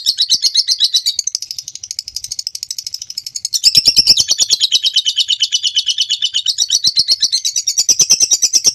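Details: Long ngekek trill of a lovebird used as training material for other birds; fast repeated chattering notes, softer in the first half, then louder and denser from the middle onward, with slight pitch shifts.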